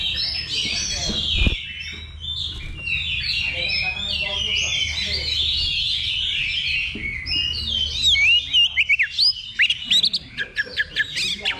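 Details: Oriental magpie-robin singing in a level-2 contest simulation held as practice before a real competition; a rich, rapid run of varied whistles, trills and sharp upslurred notes, with one loud thump early on and other birds chirping around it.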